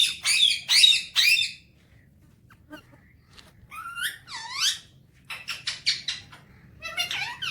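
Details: Pet Alexandrine parakeet, a talking bird enjoying the morning: three loud raspy squawks open, then after a pause come swooping, bending notes and a rapid run of short clipped chatter.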